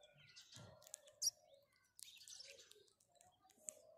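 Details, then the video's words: House sparrow giving short, high, scattered chirps and brief tweets in irregular bursts over about four seconds, with a few faint lower sounds in the background. "House Sparrow Call"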